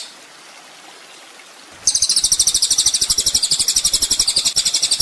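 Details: Master recording of an olive-backed sunbird (kolibri ninja) for training songbirds: almost two seconds of low hiss, then a sudden high, rapid pulsed trill running on steadily for three seconds.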